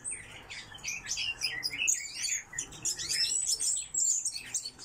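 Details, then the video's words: Coal tits in an aviary produce a busy stream of high, thin chirps and squeaky twittering notes, several birds calling over one another without pause. "Московка - Parus ater"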